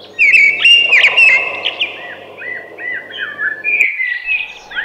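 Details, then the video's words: A thrush sings a loud, rich warbled phrase with sharp twitters, followed by a run of lower slurred whistles and more high notes near the end. "Beautiful Thrush Singing"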